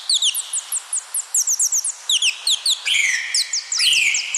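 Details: Rapid, evenly paced high chirps from a parrot, each a quick downward flick, broken twice by louder, harsher squawk-like notes.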